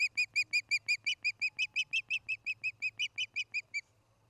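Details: At a nest in Charlo, Montana, on the evening of 29 August 2018, an osprey gives a steady series of about twenty sharp, whistled cheeps, roughly five per second, over a faint low hum.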